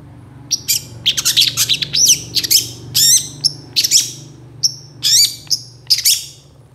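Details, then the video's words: Long-tailed shrike singing a lively, varied tutor song with sharp burst phrases: loud high chattering notes, sweeping whistles and brief scratchy squawks in irregular quick succession over a low hum. "CENDET GACOR ISIAN TEMBAKAN MEWAH"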